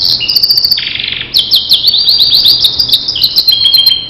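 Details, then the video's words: Master song of a Starblue canary for training other canaries: rolling high trills, a lower buzzy trill segment, then rapid chattering whistles shifting in pitch, loud and unbroken. "Masteran Suara Kicau Kenari Starblue"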